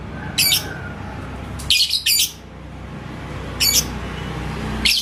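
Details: Lovebird called labet koneng, in Indonesia, provoked by a rival's song toward ngekek. Five harsh, piercing call bursts, one a quick double, stand out at irregular spacing over a loud, broad background rumble.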